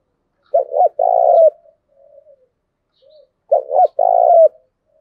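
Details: Spotted dove coos for training decoy doves: two phrases of a clipped double coo and a long vibrating note, separated by a pause with soft faint notes.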